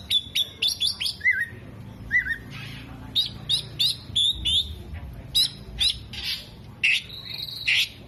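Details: Tail-fanning Oriental magpie-robin in full song, imitating kolibri, jenggot and lovebird; quick high chips mixed with two lower, liquid rising-falling whistles, scratchy squawks and a final buzzy drawn-out note.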